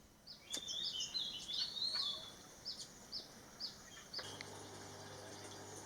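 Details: Female Ornate Sunbird, formerly called Olive-backed Sunbird, at a bird hide in Thailand where birds drink and bathe: a run of thin, high chirps and twittering notes, then a steady low hum from about four seconds.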